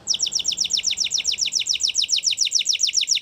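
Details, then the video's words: Spanish Timbrado canary singing a fast, even trill of repeated downward-sweeping high notes, about three to four per second, steady throughout with no other sounds. "Timbrado Canary Singing"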